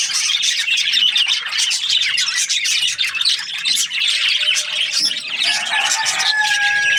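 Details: Budgies in the morning keep up a steady stream of high chirping and chattering, and clear, sustained whistled tones appear over the chatter in the last two seconds.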